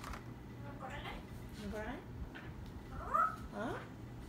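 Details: Parrot talking: a few quiet, speech-like phrases with gliding, whistly vowel tones, set against a steady low hum and room noise.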